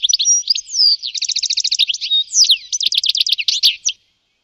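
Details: European goldfinch calls, clean isolated recording: rapid series of bright, liquid twittering notes and fast tinkling trills, with a few slurred whistles, about four seconds of continuous chatter then silence.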